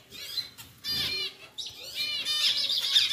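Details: A pied pair of zebra finches, male and female, caged and just moved into a larger new cage with plastic leaves, give bright nasal harmonic calls in quick succession, with short gaps between bursts.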